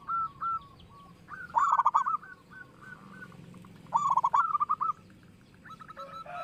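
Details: Local zebra dove with a big voice, singing as a lure to draw other doves into song. Two short mellow coos open, then two bursts of rapid stuttering trilled cooing, each ending in a drawn-out note. A steady low hum runs underneath.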